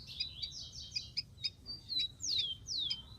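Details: Rufous-collared sparrow singing in the wild amid a hissy background: rapid high twittering notes leading into two long whistles that sweep downward.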